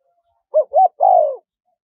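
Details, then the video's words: Wild-style call of a spotted dove with a small, high voice, meant as a decoy for wild doves: a short rounded coo, a second similar coo, then a longer sliding coo that sinks in pitch. Quiet background. "เสียงนกเขาใหญ่ คารมป่า (เสียงเล็ก) มีขัด มีหนุน คูอ่าง"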